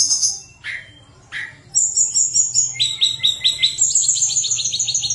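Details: A Sunda robin (Myiomela diana), a mountain bird used as a lure to prompt quiet birds to sing, sings thin, very high whistles, then a fast run of sharp, bright notes, about five per second, paired high and low.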